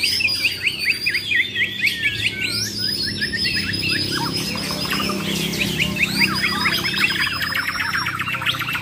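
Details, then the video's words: Bornean white-rumped shamas from Muara Wahau, champions in a fighting contest with besetan and tembakan styles, repeat rapid sweeping notes in dense overlapping bursts for the whole stretch. "BURUNG JUARA MURAI BATU BORNEO "MUARA WAHAU" || FULL ISAIN BESETAN DAN TEMBAKAN"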